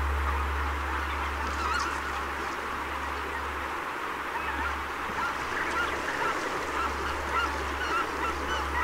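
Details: Greater white-fronted goose flock, a rare winter visitor, in Donggang Township, Taiwan, 19 December 2021: high, yelping calls about twice a second over dense flock chatter and a steady low rumble of wind.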